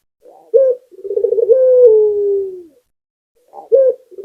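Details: A local Barbary dove sings energetically, with a soft coo and then a throaty rolling trill that rises into a long, smooth, descending tone. After a silence, a short clipped coo begins the next phrase.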